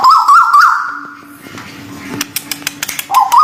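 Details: Bird-therapy recording of a white-billed bulbul, local and Malaysian types, opening with a bright stepped whistled phrase, then scattered clicks and taps before a short whistled note returns, a low hum running throughout.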